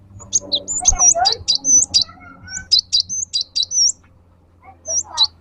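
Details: Gelatik batu, a cinereous tit, singing a lure song for pet birds: quick high whistled and chirped notes, some sliding, in two loose phrases, over soft low rumble and faint background voices.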